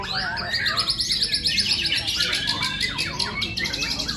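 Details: White-rumped shama at a singing contest, delivering 'isian' fill-in phrases: a fast run of bright, high repeated notes, then varied whistled trills and slurs, over a dense chorus of other songbirds and a low crowd rumble.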